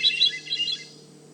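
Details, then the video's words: A Hermit Thrush sings in a cedar swamp at Manchester Cedar Swamp Preserve, New Hampshire. Its song is a metallic whirl in three phrases, heard here as a brief, high, fluttering swirl of quick metallic notes fading in under a second, over a faint hum. "The Hermit thrush song is a metallic whirl sung in three distinct phrases. Let’s listen!"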